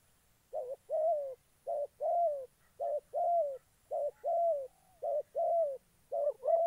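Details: Spotted dove kept as a trapping decoy in Gia Lai, Vietnam, cooing in a steady run: short low note then a longer falling coo, repeated about five times in quick succession against a quiet background.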